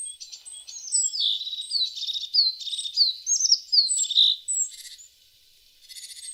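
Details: Tit singing: high, sweet twittering of slurred descending whistles and quick trills, fairly continuous for about five seconds, then a pause and a short buzzy rattle near the end.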